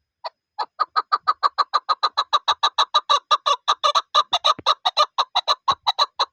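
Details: Chukar partridge (chakor) in a loud, sustained series of clucking chuk notes, roughly three a second, accelerating slightly and staying even in volume, over an otherwise quiet background.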